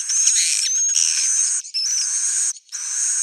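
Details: Edible-nest swiftlet roosting call used to attract swiftlets: dense, high-pitched twittering and chirping held almost without pause, with a few thin rising whistles and two brief silent gaps.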